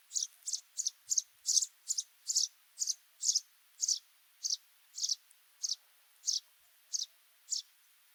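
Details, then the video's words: Sudan golden sparrow giving a steady series of bright, high chirps, about two each second, with a faint hiss behind. "The Sudan Golden Sparrow's Melody"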